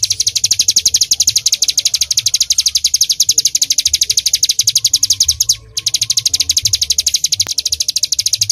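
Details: Bar-winged prinia delivering full 'tembakan' song, a fast, steady stream of piercing high notes, four or more per second, interrupted once by a brief silence before carrying on; low rumble faintly behind.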